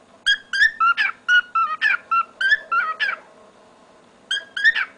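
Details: Song of a male pet cockatiel indoors, mimicking a chanted "go go go" phrase: a dense burst of repeated whistled notes, level tones mixed with upward-sweeping chirps, roughly three per second, then a pause and two final chirps.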